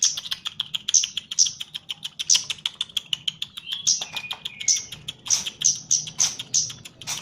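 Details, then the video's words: Chestnut-capped laughingthrush in training, kept as a cage bird, delivering rapid high chattering notes mixed with piercing whistles and a few falling slurred notes, irregularly spaced, over a low steady hum. "KEMADE JAWA GACOR"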